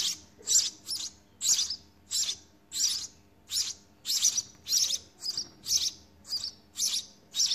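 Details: Baby house sparrows in their nest during feeding, producing insistent high, buzzy chirps in a steady string, close to two each second, with a soft low rumble beneath.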